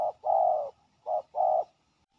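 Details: A short burst from an aggressive territorial male spotted dove answering a ground decoy: a brief coo, a long drawn coo, then another short and long pair. The notes are rough and low, with slight background rumble.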